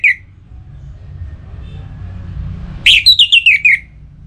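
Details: Caged orange-headed thrush, aroused for breeding, calling a rival: the tail of one note, nearly three seconds of low hum, then a loud phrase of a rising whistle and a fast descending series of about seven bright notes.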